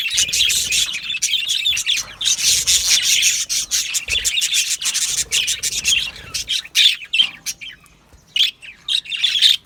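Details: Aviary budgerigars chirping in bursts: scratchy, rasping chatter that comes in surges and then thins out to scattered short chirps toward the end.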